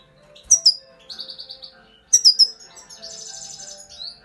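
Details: High, thin double chirps of a grey-crowned goldfinch, each pair followed by a short rippling trill, given twice about two seconds apart with a brief rising note at the end.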